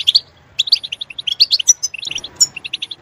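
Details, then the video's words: European goldfinch song used to stimulate other goldfinches to sing loudly: bright, tinkling chirps in quick runs, some notes sharply whistled, with brief pauses between bursts of twittering. "Stimulating a goldfinch clip to make it chirp in a loud and wonderful voice"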